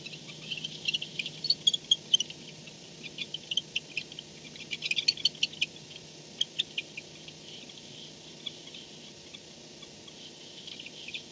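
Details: Barn owl recorded by nest camera at 4:38 am on 2-10-16, as an owl returns home to the nest at night; scattered high, dry ticking and chittering notes in loose bursts over faint steady background hum.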